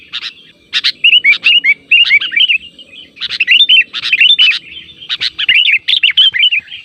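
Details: Sooty-headed bulbul lure sound meant to make wild and caged bulbuls reply: groups of short, bright, liquid notes that step up and down, in bursts separated by brief pauses.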